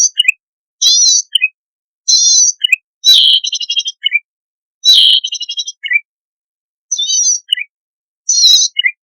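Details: Buzzy wavering phrases from a recently trapped wild zitting cisticola, each followed by a couple of thin high chips, repeated roughly every one to two seconds in clean silence.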